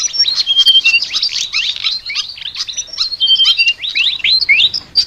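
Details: Flycatcher (sikatan) chattering song: a fast, dense stream of high, thin chirps and short sliding whistles, some notes rising steeply and a few held flat, with barely a pause over five seconds.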